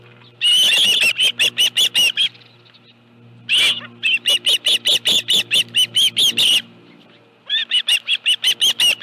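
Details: Dunrovin Ranch osprey at the nest with a live fish, afternoon of 25 July 2018: repeated runs of high, evenly spaced piping chirps, one burst of about ten notes after a single loud squeal.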